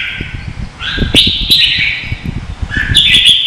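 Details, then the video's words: Red-whiskered bulbul singing in contest, Vietnam, kept as lure sound for training birds: sustained bright warbled phrase and short whistled notes over a steady low clattering and tapping noise. "Chào mào hót đấu hay nhất việt nam"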